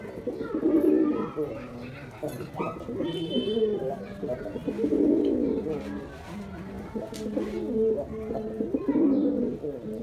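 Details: White domestic pigeons, a male performing; low, throaty cooing phrases rise and fall in overlapping bursts from several birds, with faint background voices and rustling.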